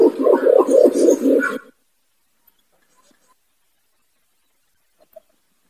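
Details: Imperial pigeon (pergam or kumkum) trapping lure call, described as loud and clear: a burst of quick, deep, throbbing coos lasting about a second and a half, followed by near silence.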